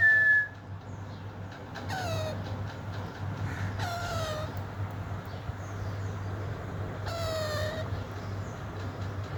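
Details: Pet Alexandrine parakeet, green form, calling while playing with its toys: a brief clear whistle opens, followed by three rough, buzzy squawks spaced two to three seconds apart, with a constant low hum underneath.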